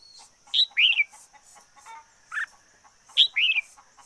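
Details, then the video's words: Decoy red-whiskered bulbul singing loud, rich phrases of sharp high notes and warbled, bending whistles, with a lower single note between, over a steady high hiss. "Chim chào mào mồi hót căng lửa nhất 2021"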